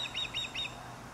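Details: Short burst of three quick, high whistled chirps from an osprey in Dartmouth, Nova Scotia, each note bending up and down, against a faint low hum.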